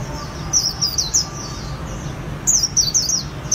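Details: Vietnamese keepers' white-eye giving "líu" song: quick runs of sharp, high descending chirps, one run early and another near the end, with a quiet gap between and low background rumble.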